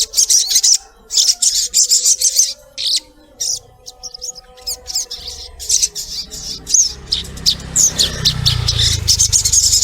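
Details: Collared kingfisher (Todiramphus chloris) giving harsh, high, rapid notes in uneven bursts of about three per second, over a faint steady hum and a low rumble near the end.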